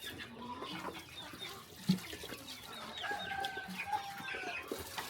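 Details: Farm chickens at a quiet countryside morning feeding, soft murmured clucks with a few drawn-out higher notes, amid a steady rustling background.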